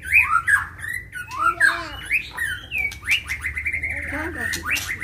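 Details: Fighting white-rumped shama, provoked and emotional, singing continuously: a rich run of loud sweeping whistles, many dropping or rising, packed closely with brief harsher notes between.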